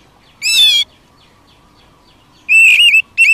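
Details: Wild Oriental magpie-robin singing, used to provoke kept birds: loud clear whistled notes, one drawn-out phrase then a wavering whistle two seconds later and a short final note, quiet background.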